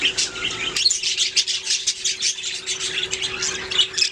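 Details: Budgerigars singing a steady stream of high, rapid chirps and scratchy warbles, with a faint steady tone underneath.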